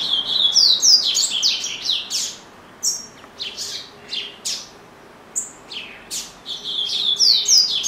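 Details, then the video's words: Household double-collared seedeater in full song: a fast cascade of high, clear whistled notes sliding down in pitch, a stretch of spaced single chips, then another lively burst of tumbling whistles. "Coleiro Bravo - Canta Muito"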